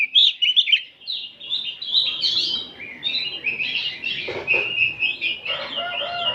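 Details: An afternoon chorus of many oriental magpie-robins, recorded as training material: dense, overlapping whistled phrases and chattering notes with little pause, over a steady background of low rustling noise.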